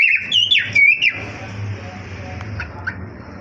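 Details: Cockatiels (Nymphicus hollandicus) in a breeding colony aviary give quick, bright chirping whistles that rise and fall over a low background hum.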